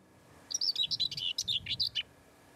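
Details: A common whitethroat singing above a bay near Cardigan on the coast gives a brief, scratchy, hurried warble of chattering notes lasting about one and a half seconds, against a quiet background.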